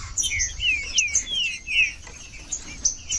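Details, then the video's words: Green-winged saltator singing, meant to warm up a cold bird that is not singing: a run of clear downward-sliding whistles amid faint high chirps and light background hiss. "TRINCA-FERRO CANTANDO FRIO"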